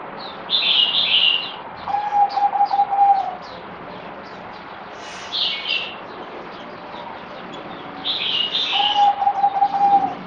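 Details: Zebra dove (merbok) on the fourth day of deworming, 17 April 2020. Two bouts of rapid, rolling staccato cooing, each about 1.5 to 2 seconds, are separated by a pause. Bright chattering notes from other birds are heard.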